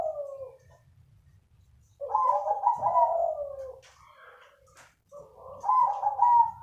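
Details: Crossbred zebra dove, known for a soothing voice, delivering mellow warbling coo phrases: a short opening note, a long wavering coo, then a final rolling phrase, over quiet low hum.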